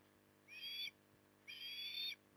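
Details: Osprey feeding in the evening at Port Lincoln, Australia, 9 October 2020: two high whistled call bursts, each under a second, separated by a short pause.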